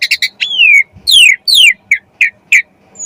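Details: Asian pied starling song used to lure other birds into singing: loud varied notes, falling slurred whistles near 0.5 and 1.5 seconds between short harsh chirps, clean recording without background sounds.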